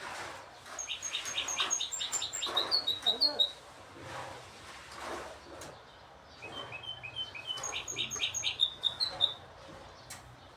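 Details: Goldfinch hybrid, one of several birds, sings two bouts: each is a fast string of repeated chirps leading into sweet whistled and trilled notes, separated by a quieter gap with soft clicks and room noise.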